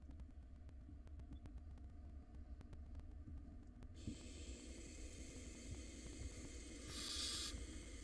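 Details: Wild barn owl nestlings in a monitored nest box, fighting in a tug-of-war over a very large rodent. A steady, breathy hiss starts midway and swells briefly near the end over a low rumbling background.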